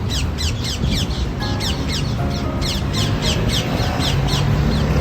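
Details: Green feral parrots in Paris, near the Seine on the way to the Jardin des Plantes, squabble in harsh, repeated squawks, several per second, with rough downward-slurred notes over heavy low traffic rumble and city noise.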